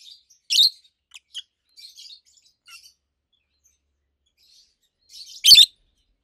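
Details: Pet rosy-faced lovebirds indoors give a loud harsh chirp, several soft short chirps, then a second loud buzzy chirp after a pause.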